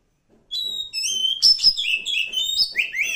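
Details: Wild forest Oriental magpie-robin singing a rich phrase of clear, high whistled notes, some held and some sliding, with quick jumps between pitches.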